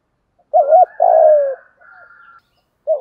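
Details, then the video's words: Spotted dove decoy call used to attract others. Two quick coos run into a long falling coo, with a faint thin whistle behind them. Another coo starts at the end. "chim cu gáy mồi gáy gọi/ tiếng chim cu gáy kích bổi nhanh nổi"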